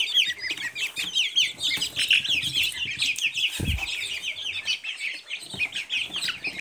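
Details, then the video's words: Many Silkie chicks chirp constantly in shrill, rapid, overlapping peeps, with one brief low thump partway through. "Цыплята шелковые"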